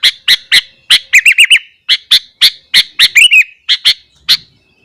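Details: Morning song of a sooty-headed bulbul, sung to provoke other bulbuls: evenly spaced sharp chirps broken by two quick runs of liquid wavering whistles.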